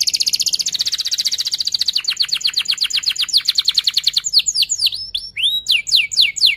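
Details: Young canaries learn from this canary song: a fast buzzy rolling trill slowing into repeated downswept notes, then varied quick chirps and whistles.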